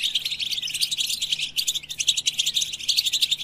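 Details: Continuous European goldfinch song meant to stimulate other goldfinches, a fast jumble of sharp high tweets, twitters and short trills running without pause, with a few faint descending slurred notes.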